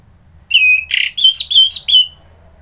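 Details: ['Morning song of an orange-headed thrush, Singaraja, Bali: a long whistle, a brief harsh rasping note, then three clear whistled phrases with ringing overtones, background quiet apart from a low hum.']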